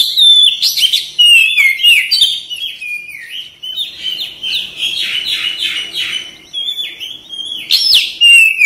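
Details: Oriental magpie-robin in a therapy track for eager singing and tail opening: an unbroken stream of varied whistles, downslurred notes and buzzy chattering bursts, loud throughout with brief dips.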